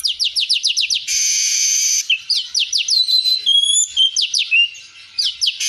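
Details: Streaked weaver singing hard with a full set of fill phrases, a tutoring recording: rapid high down-slurred chirps, a long dense buzz, then sliding whistles and more quick chirp series.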